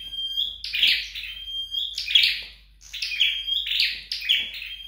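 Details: Home-practicing flowerpecker: a held high whistle breaks into twittery chirp bursts, repeated about four times with short gaps, nothing else audible.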